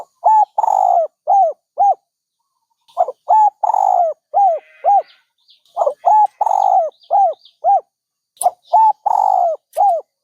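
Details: Dove cooing steadily in three phrases of evenly spaced arched hoots, each phrase including a drawn-out throaty note. Faint chirps and a brief rattle from other birds.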